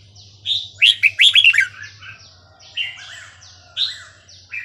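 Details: Red-whiskered bulbul in Burmese-style 3-4-5-6 song, used for tutoring young birds: a rapid cluster of bright warbled notes, followed by rising and falling whistled phrases against a chorus of other bulbul-like calls.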